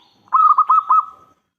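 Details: Local zebra dove singing loudly as a decoy so other doves answer: one full cooing phrase, a rapid run of five or six rolled, throaty notes at a steady pitch, fading out smoothly.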